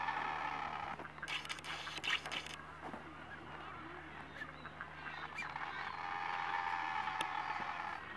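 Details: On Genovesa Island, Galapagos, a Nazca booby attacking an older juvenile booby chick gives harsh, honking calls in a rapid, uneven run over a constant colony din, with a steady low hum and brief human voices.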